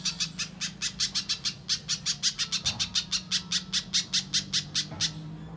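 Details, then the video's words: Little spiderhunter lure recording aimed at stirring untrained birds to call; rapid series of piercing, short high notes, roughly three each second, ending abruptly, with a steady low mechanical hum throughout. "Suara Pikat Burung Pijantung Pisang Durasi Panjang, Pijantung Bahan Langsung Bunyi"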